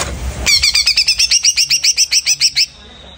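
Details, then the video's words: Greater green leafbird freshly out of moult, giving a quick, even string of about fifteen bright, slurred chips over two seconds. A soft hum lies beneath them. "Cucak Ijo Pur Total VOER 705 Abis Beres Mabung"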